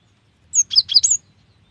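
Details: A female cinereous tit calls the male in one rapid burst of four high, piercing, slurred chirps, closely spaced in under a second, against a quiet background.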